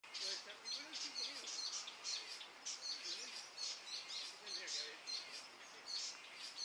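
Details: Hooded Siskin (Spinus m. magellanicus) at Costanera Sur, Argentina, in February 2022, giving a fast, high, rambling twitter of buzzy and tinkling notes in quick bursts, with faint low sounds underneath, possibly voices.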